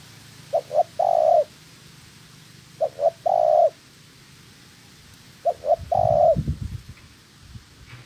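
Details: Wild-caught female spotted dove being trained as a decoy gives three soft, low coos, each two short notes and a longer drawn-out note, repeated about every two and a half seconds, with a brief dull thump.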